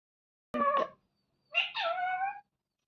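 A rose-ringed parakeet gives two nasal, voice-like calls, a short clipped one and then a longer drawn-out one, much like a mewing cat, in a quiet room.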